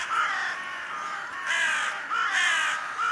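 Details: Thirsty crows giving loud, hoarse, grating caws, three long calls in quick succession over a constant hiss.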